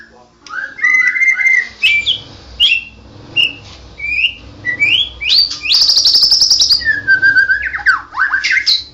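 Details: Champion white-rumped shama in vigorous ngerol gacor song: varied whistled phrases sweep up and down, broken by a harsh rattling buzz midway, then sharp downslurred whistles, all loud against a faint low rumble.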